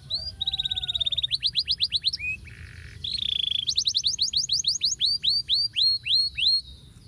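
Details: Singing male canary, a training song for canaries that have stopped singing: fast steady trill, then a brief low buzzy note, then a series of clear rising whistled slurs about four per second.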